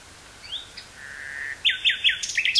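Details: Nightingale in woodland near Burgh-Haamstede, Netherlands, recorded 18 May 1983 on cassette: soft rising whistle, a sustained low whistled note, then loud quick descending chirps in a lively series.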